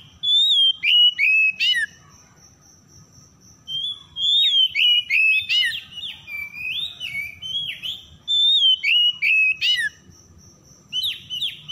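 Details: Oriental magpie-robin song used as a lure for birds that have stopped singing: clear whistled phrases sliding down between high and mid pitch, bursts of sharp chirps in rapid groups, a pause, then renewed phrases, with a steady high tone throughout.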